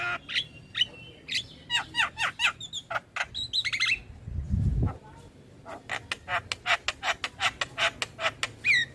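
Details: Lure recording of a Javan myna singing, meant to prompt mynas that have stopped calling: rapid harsh chattering notes and squeaky whistles, a brief low thump midway, then a steady train of sharp clipped chips.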